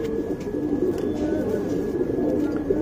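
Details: Young tournament pigeons kept by a fancier in Bangalore, India; low soft cooing notes repeat through the clip over steady background hum and room noise.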